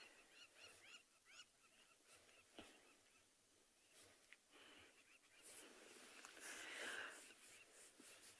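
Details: Crowned lapwings, apparently nesting, give harsh, rapid, repeated alarm notes in short bursts as lionesses stalk nearby at sunset in Tswalu Kalahari Reserve, South Africa, 20 June 2020, fading under wind or engine noise.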